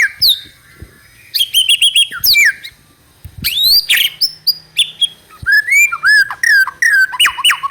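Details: Trotol song of a White-rumped shama used to coax other birds into singing: loud bursts of whistles and rapid chatter, short pauses between phrases, ending in falling and rising slurred notes.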